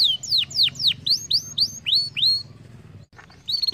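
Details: Canary song for encouraging singing: a series of loud sweeping whistled notes repeated about three per second, a short pause, then a quick buzzy trill.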